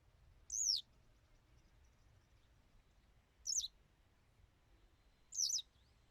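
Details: Western yellow wagtail song of single high, thin descending notes, each brief and sharp, repeated three times about every two and a half to three seconds against a quiet, still backdrop.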